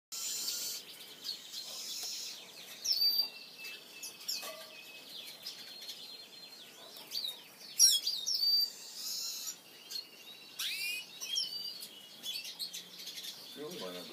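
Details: A female Black siskin gives brief, high twittering chirps and sharp rising notes at irregular intervals, about one or two a second, over a steady hiss of background noise.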